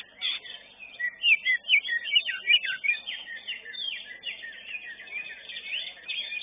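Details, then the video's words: Prize-winning Greater green leafbird at a songbird contest arena, pouring out loud, fast bursts of twisting whistles and chattering notes, several sharp peaks early on, then smoother rising and falling slurs. "CUCAK HIJAU"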